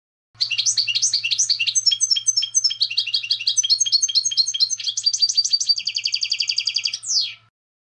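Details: European goldfinch song: a fast, continuous run of bright tinkling twitters and chirps lasting about seven seconds, with a quick buzzy trill near the end, ending in a short downward note; a faint low hum underneath.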